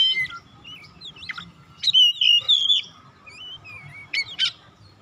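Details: Oriental magpie-robin song intended to call and rouse other magpie-robins. Varied clear whistles slur up and down, with a loud sustained warbling phrase in the middle and two sharp notes near the end, over a low hum.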